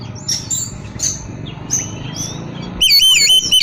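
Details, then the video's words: Oriental magpie-robin whistling to prompt other magpie-robins to reply: faint scattered high chirps at first, then a sudden loud run of repeated wavering whistled notes in the final second. "kapan pun kacer lain pasti bunyi dengar siulan kacer ini buktikan langsung nyaut gacor"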